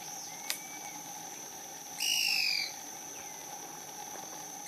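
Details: A Yungas tody-tyrant in dense bamboo in a yungas valley at San Juan del Oro, Putina Punku, southern Peru, gives one loud, buzzy, slightly descending half-second note with a faint thin whistle before and after, over a steady insect drone.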